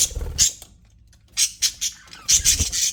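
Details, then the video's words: Pet budgerigars chirping in an aviary: short bursts of harsh, buzzy high chatter in two clusters separated by a quiet gap, with low thumps beneath. "HAPPY BUDGIES SOUNDS"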